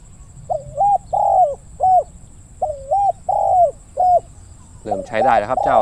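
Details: Decoy spotted dove cooing around 17:00 while luring wild doves: two rounds of three or four low hooted notes, one long and drawn out, then a brief clatter of handling noise at the end.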